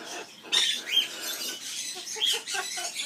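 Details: Amazon parrot at an aviary in its skimmeradinkadinkadink song, with short harsh squawks and nasal chatter and a couple of brief whistled squeaks between rough bursts.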